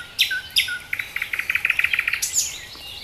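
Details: Nightingale singing in Dubki park, Sestroretsk, Saint Petersburg: two sharp high notes, then a rapid run of about fifteen evenly repeated clicking, chirping notes, ending in a bright rising flourish.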